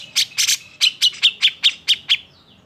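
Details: Grey-cheeked bulbul in agitated song used to provoke other birds into singing: two harsh buzzy notes followed by a steady series of about seven sharp whistled chirps, roughly four per second.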